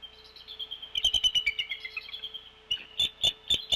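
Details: At a Decorah nest during a February 2024 brood shift change, wild Bald Eagles chatter off camera. A long string of rapid, high, squeaky piping notes, a brief lull, then several more loud, evenly spaced chirps.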